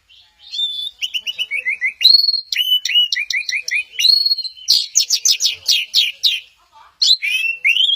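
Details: Orange-headed thrush singing at Kesamben, delivering varied whistled phrases: clear slurred notes, short repeated descending figures, then a rapid run of sharp bright notes before rising whistles resume.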